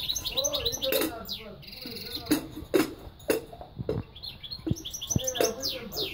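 A goldfinch-canary mule sings a fast, jangling stream of twittering notes, liquid trills and quick rising and falling sweeps, with a few sharp clicks and knocks in between.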